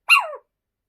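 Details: A pet Little Owl in scorching summer heat, sitting in the shade and refusing to come in, gives a single harsh, yelping bark that slides downward and lasts about a third of a second, then silence.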